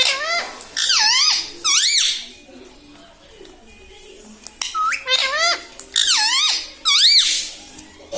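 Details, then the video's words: Pet parrot talking, said to be saying "mummy papa": short bursts of high, wavering, speech-like syllables with sweeping rising and falling tones, in clusters around one and two seconds apart with quiet gaps between. "Mummy pappa talking parrot🦜🦜 || mithu hu mithu || मम्मी पापा बोलने वाला तोता"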